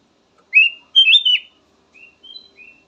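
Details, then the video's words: Kutilang emas (black-naped oriole) song: a loud whistled note followed by a longer, richer warbled phrase, then three faint, soft whistles trailing off. "VARIASI KICAUAN BURUNG KUTILANG EMAS SYAHDU DAN COCOK BUAT PANCINGAN"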